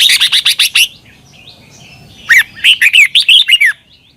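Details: Red-whiskered bulbul from Thailand, a training recording for caged birds: a fast burst of dry ticking notes, a quiet pause, then a lively string of about eight whistled, down-slurred chirps.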